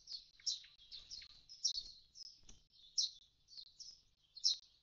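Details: Common starling calling at an empty nest box after its young have fledged: a run of high chirps and short rasping notes, roughly two to three per second, with a few soft low thumps.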